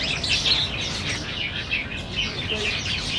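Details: Black bulbuls competing for Chinese banyan figs at Niaosong Wetland Park on 4 November 2015, filmed on a Canon PowerShot SX700HS; dense overlapping chirps and squeaky notes from several birds, steady low background rumble.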